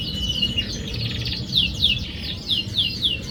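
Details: Canary song meant to prompt a quiet canary to sing, made of quick repeated down-slurred whistled notes in a continuous high rhythmic series over a constant low background hum.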